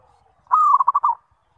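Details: Zebra dove calling as a lure to make other zebra doves answer: one drawn-out cooing note followed by four rapid staccato coos, all mid-pitched, in a single short phrase against a quiet background.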